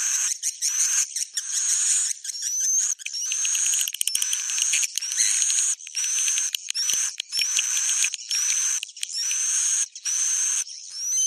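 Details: A swiftlet roosting-call recording, played in a swiftlet house to make birds stay: dense, very high twittering chirps in bursts about once a second, with brief rising squeaks and short gaps between phrases.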